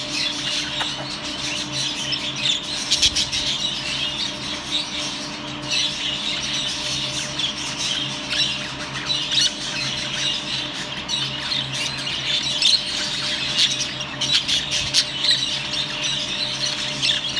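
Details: Cobalt budgerigars chatter nonstop in a busy flock, a dense mix of warbles, chirps and squawks.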